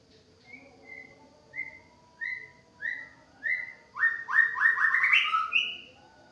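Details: White-rumped shama let out of its cage, singing a series of clear whistled notes repeated about every half second, each slightly rising, building into a louder, richer warbled phrase at the end; quiet background.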